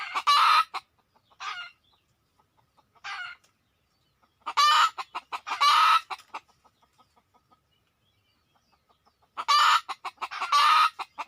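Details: Red junglefowl attracted on a decoy-hunting outing: spaced bouts of harsh, broad squawks, often paired, with trains of short clucks and long quiet gaps between bouts.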